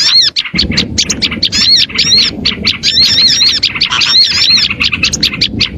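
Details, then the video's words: Small birds chattering in a lure recording meant to draw small birds close: an unbroken stream of shrill chirps and rising-falling squeaks from many callers. "AUDIO SUARA PIKAT BURUNG KECIL"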